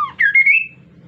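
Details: Kaso-kaso bird, insect-eating, in lively song used to get other birds singing: one short phrase of a falling whistle, then a bright note rising steadily upward and fading out, over low hum.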